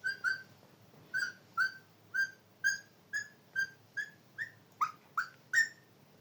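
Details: Parrot whistling a steady run of about fourteen clear short notes, mostly in pairs, evenly repeated, the last few rising higher and louder.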